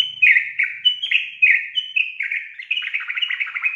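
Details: Yellow-vented bulbul in a bright, bubbly run of quick chirping notes, rising and falling without pause, a call meant to provoke young untamed bulbuls into singing; nothing else is heard.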